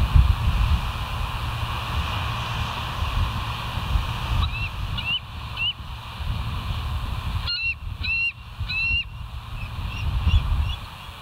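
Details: Bald eagle at West End, filmed by a live nature cam at 06:58 on 25 August 2023; after a stretch of low rumbling background, short high chirped notes come in two bursts, each a quick series of rising, piping squeaks.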